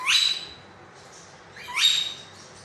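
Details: Green rose-ringed parakeet kept as a pet, producing two loud whistles that sweep steeply upward and settle into a steady high tone, about one and a half seconds apart, with quiet in between.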